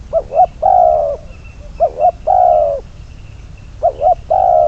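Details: Spotted dove, decoy bird number 22 for trapping, giving three identical phrases in sequence. Each has two short, bouncing coos and then a longer, steady coo that fades slightly. The background is quiet, with a soft low hum.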